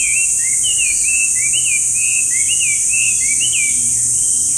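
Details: Chinese hwamei delivering a continuous series of bright, slurred whistles, each note arching up and down in quick succession, over steady background hiss.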